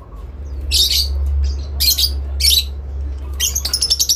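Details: Breeding lovebirds calling to each other with long ngekek chatter: several harsh squawking bursts, then a fast rattling trill at the end, over a steady low electrical hum.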